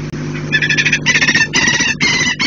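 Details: Saker falcon screaming as it flies in, as it usually does, with no chasing falcons in sight, recorded 17 March 2018. Harsh, repeated scream notes come in about four bursts, each lasting under half a second, over a steady low hum.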